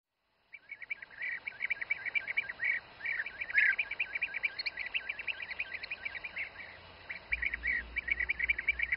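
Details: Bee-eaters feeding youngsters in the Přerov region, Czech Republic: a dense, overlapping chorus of short, burry, rolling notes, repeated rapidly and steadily from several birds, with a low rumble entering near the end.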